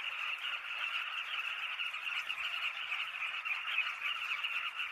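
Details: Continuous clamor of Southern carmine bee-eaters, dozens of overlapping short calls forming an even, rolling chatter throughout.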